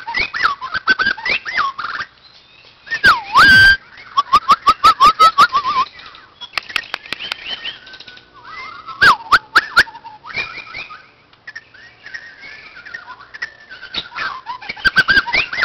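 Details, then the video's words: White-crowned shama at a playground, singing loud looping whistles and slurred phrases mixed with harsh scratchy notes, amid sharp clattering knocks and rapid repeated bursts of noise. "White crowned shama"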